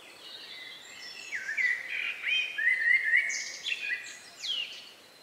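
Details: Rural evening chorus of the last singing birds, recorded outdoors around 9 p.m. on May 2, 2020; repeated fluty whistled phrases, some rising and some falling, with quick sweeping high notes overlapping in a quiet setting.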